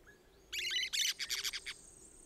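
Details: Quieter harsh chatter from a pair of orange-chinned parakeets in Costa Rica: a rough squawky burst and then a quick tumble of short high notes lasting about a second.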